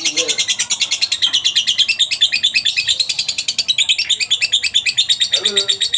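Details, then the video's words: Long rattling 'ngekek' chatter of a kept lovebird, meant as master recording for other lovebirds: continuous high, harsh, rapidly repeated pulses with slight pitch wavering, plus faint lower squeaks near the start and end. "masteran burung Lovebird ngetik,ngekek cocok buat lb lain biar cepat gacor ,ngekek panjang"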